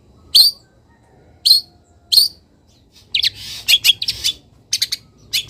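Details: Long-tailed shrike in a cage, misted and set in morning sun; three sharp high chips, then a burst of busy, buzzy chattering notes with a low background hum.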